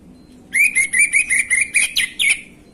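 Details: Orange-headed thrush song used as a lure for untrained birds, gamblingan style: a quick string of about nine sharp, chirpy whistled notes repeated evenly over roughly two seconds.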